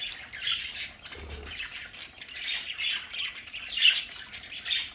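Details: Budgerigars in a home play area give a softer mix of scratchy chirps and squawks, continuous and overlapping, with a brief low thump near the middle.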